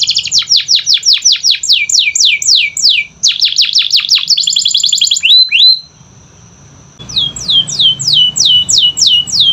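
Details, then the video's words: Canary song meant to make reluctant canaries sing: quick runs of falling whistled sweeps and rapid trills, a short rising note, a pause with a thin steady tone, then more descending sweeps. "Pancingan Kenari Malas Bunyi‼️Dengar Langsung Nyaut Gacor Dor"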